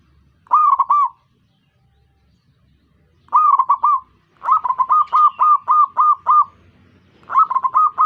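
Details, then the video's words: Zebra dove leading other doves into song: short phrases of three or four rolling coos, then a longer string of about eight evenly spaced trilled notes, and another phrase at the end. "Yatim pintar ngajak perkutut lain ikutan bunyi"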